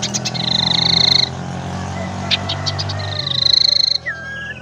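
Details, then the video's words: Tailorbird lure call for trapping and for prompting sluggish birds to sing: loud, rapid high trills lasting about a second each, separated by a few sharp chirps and ending in a short slurred whistle, over a low droning hum. "suara pancingan sirtu teras"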